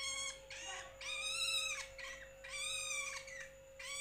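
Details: Young long-tailed shrike, called toed, cendet or bentet: harsh, raspy, drawn-out calls with a buzzy, rich tone, each lasting about half a second to a second and repeated in bursts, over a steady electrical hum.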